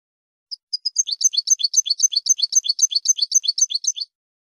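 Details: European goldfinch singing a fast, even run of tinkling high notes, about four per second, each a short twittering pair, repeated steadily for several seconds against silence.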